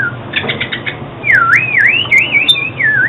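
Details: Oriental magpie-robin singing, a recording meant for trapping and training song: a long rolling whistle that dips and rises in waves, after a brief burst of rapid harsh notes, with a faint low hum behind.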